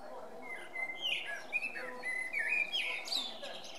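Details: Song of a male common blackbird, a run of clear whistled notes climbing into squeaky, high-pitched twitters, with a constant low hum behind.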